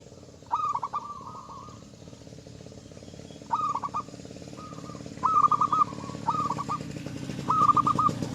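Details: Zebra dove singing loudly and actively, its big voice inviting rivals to sing back: six short, stuttering cooed phrases of quick pulses ending in a drawn-out even note, spaced irregularly over a steady low rumbling hum.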